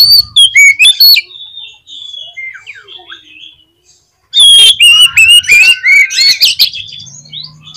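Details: Kacer, or Oriental magpie-robin, singing a lure song to rouse rival magpie-robins: bright whistled phrases and harsh notes, a quiet pause in the middle, then a loud, dense burst of varied whistles over a low hum.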